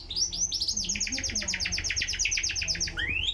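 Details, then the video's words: White-rumped shama singing vigorously: a fast run of bright, high-pitched repeated trilled notes lasting about three seconds, ending in a rising whistle, over a steady low hum. "burung murai gacor"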